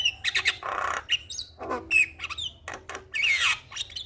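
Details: Gacor-style Javan myna song used to stimulate stressed birds: short harsh rasping bursts alternate with clear sliding whistles and brief chattering notes, about forty phrases a minute, over a quiet low hum.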